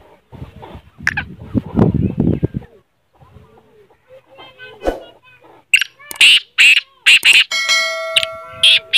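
Black francolin giving loud, harsh, grating notes in quick bursts over the last few seconds, after rustling noise and a brief human voice.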